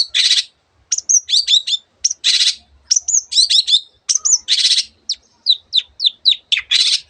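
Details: Long-tailed shrike in vigorous song rich in borrowed bird sounds: harsh buzzy bursts open and recur, between quick clusters of high whistled chirps and sliding notes, all loud and close against silence.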